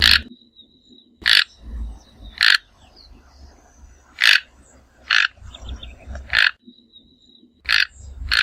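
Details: Toco Toucan, subspecies albogularis, Brazilian Cerrado, uttering hoarse grating croaks spaced about a second apart, eight in all, over low rumbling background noise and a faint continuous high whine.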